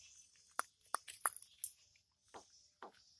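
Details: Tame Javan myna imitating a person coughing: three sharp, bright bursts in quick succession, then after a pause two rougher, raspy cough-like bursts about half a second apart, in a quiet indoor setting.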